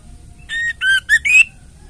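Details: Four harsh, buzzy notes from a female white-rumped shama in ketrekan style, a call used to make males sing, with whistled tones sliding upward in the last notes; the background is otherwise still.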